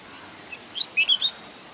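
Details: A wild bulbul gives a brief phrase of four clear, slightly slurred whistles in quick succession, with soft background noise before and after.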